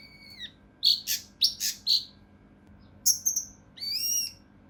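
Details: Mountain leaf warbler, locally cucak rante mas, singing rough, close-packed bursts used to tutor competition songbirds: a thin whistled note, then loud harsh chattering bursts, a pause, shrill notes and a rising buzzy phrase.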